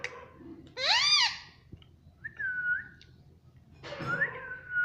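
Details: Talking green pet parrot in a small room, taught to say "mummy": a loud arching squawked phrase, then a clear flat whistle, a pause, and a final harsh burst sliding into another whistle.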